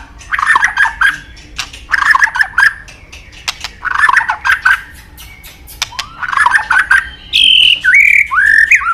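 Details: White-rumped shama, highly sought by bird-song hobbyists: bursts of harsh chattering notes in groups every two seconds, followed near the end by clear whistled sweeping phrases.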